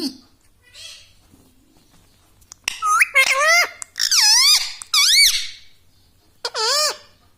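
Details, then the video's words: Pet green ring-necked parrot kept indoors, talking in a small room: squeaky, wavering syllables with sweeping harmonics, several short phrases from about the third second onward, after a quiet start with faint background sounds. "Talking parrot || mitthu mitthu || tota || Bolne wala tota"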